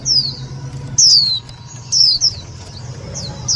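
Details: Loud, clear white-eye call used as a trapping lure and to excite other white-eyes: sharp, high, downward-slurred whistles in small bursts about once a second, over a low steady hum.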